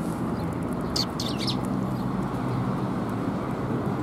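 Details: Sparrows on 20 February 2021, giving a quick cluster of three or four high, clipped chirps about one second in, with constant low rumbling noise behind.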